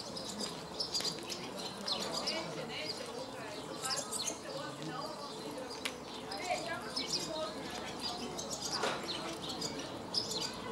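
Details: Barn swallows (Hirundo rustica) in Vrbje street, Zagreb, Croatia, on 24 May 2014, twitter in a fast, chattering warble of high chirps and squeaky notes, with a steady low hum and faint voices underneath.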